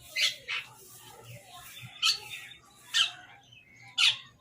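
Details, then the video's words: Crows feeding and fighting over food, giving short harsh calls spaced roughly a second apart, each a brief rasping burst, with a low steady hum beneath. "Crow Bird Crowing Sound part 23 | Crow Eating Food"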